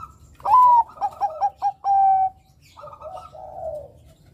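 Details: Zebra dove (Bangkok perkutut) song, used as a lure recording for young males: a soft whistled coo followed by a quick run of short stuttering notes and a long level note, then a lower trill.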